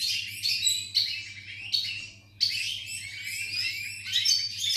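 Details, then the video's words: Goldfinch song from November 2018: high, jangling twittered phrases broken by short pauses, each phrase starting with a sharp note, with a steady low hum underneath. "Goldfinch,Grdelin, Stieglitz, Chardonneret , El jilguero,bird"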